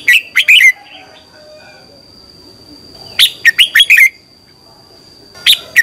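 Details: Red-whiskered bulbul morning song, a fired-up 'chè' style played to train other birds; three short bursts of sharp, clipped chirping notes, near the start, middle and end, separated by quiet gaps, with a faint steady high whine throughout.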